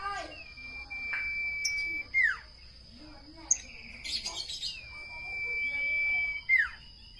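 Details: Two sustained pure whistles from a common iora, each level for over a second and finishing with a swift downward flick, separated by a short burst of buzzy chatter.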